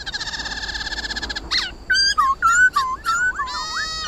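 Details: Forest-voice song of the white-cheeked laughingthrush, meant to spur caged birds to sing: a rapid buzzy rattle, then clear looping whistled notes, some falling and some wavering, ending in overlapping curled phrases.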